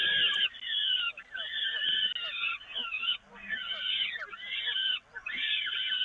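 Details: Peregrine falcons being fed on the Evoluon nest grating, 13 May 2018, late afternoon. Piercing, scratchy wails follow one another closely, with short dips between calls and faint soft clicks underneath.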